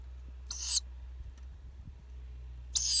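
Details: Wild owl chicks calling: two harsh, hissing screeches, each about a third of a second long and a little over two seconds apart, over a low steady hum.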